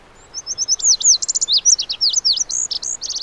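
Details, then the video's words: Lazuli bunting (Passerina amoena) delivering a long, varied song: even introductory notes, then swooping whistles, buzzy trills and paired downslurs tumbling on for nearly three seconds. "The Melodic Song of the Lazuli Bunting"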